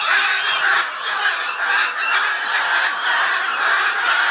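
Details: A kept pair of Goffin's cockatoos in Aurangabad, India, give harsh, raspy screeches and squawks almost continuously, with a broad grating tone and little pause between calls.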